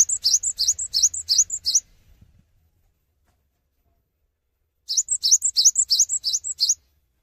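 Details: Cinereous tit in full gacor song without hopping. Two bursts of bright, high-pitched phrases, each under two seconds, with rapid slurred notes repeated about three times a second. A pause of some three seconds separates them, with a faint low rumble.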